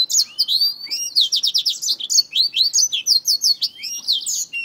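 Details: Black-throated finch fighting a finger, with quick series of sharp, high ticking chirps in rapid runs, interspersed with slurred whistled notes, steady and busy.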